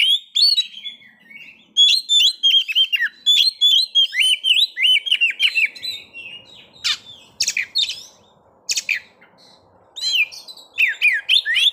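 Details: Kacer, the white-rumped shama, singing in captivity to stir breeding condition and aggression: fast run of whistled, slurred notes, then harsh clicking and chattering calls, before the whistling resumes near the end.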